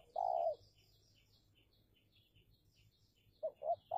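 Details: Spotted dove used as a decoy against wild doves in a territorial contest, Indonesia: a long low coo, a pause filled with busy high chirping of small birds, then two short coos and the start of another.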